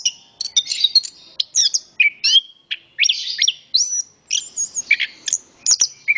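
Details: Orange-headed thrush male singing energetically, a dense stream of sweet whistles, sharp slurred notes and quick twittering phrases packed closely together, some mimicry-like high squeaks, with little background noise.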